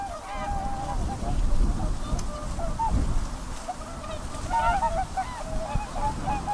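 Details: Whooper swans honking together, a busy mix of bugle-like notes, some upswept, over loud low-frequency rumble.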